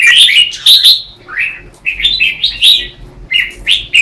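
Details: Red-whiskered bulbuls in a morning singing contest, used as lure song for training birds: bright, slurred whistled phrases, each under a second, follow one another rapidly, and several birds overlap.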